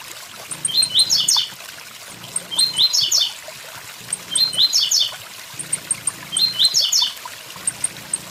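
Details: Blue-black grassquit song, the 'tui tui zel zel' type, recorded with waterfall sound: four evenly spaced phrases of crisp, high, rapidly stepped chirps, about two seconds apart, on a background of running water.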